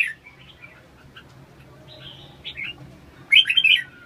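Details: Red-whiskered bulbul: a few soft, scattered warbled notes over a low hum, then a loud burst of bright, tumbling whistled phrases near the end.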